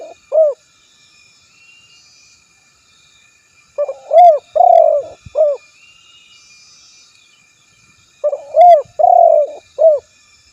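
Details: Repeated spotted dove cooing. After one stray note, two full phrases come about four and a half seconds apart. Each has a short lead-in, an arched coo, a long purring coo and a closing coo, low and mellow against quiet surroundings.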